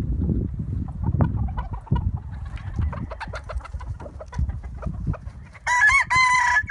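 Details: Chickens and roosters in a yard: many short clucks and scratching noises, then a loud rooster crow breaks in near the end with a harsh harmonic-rich call.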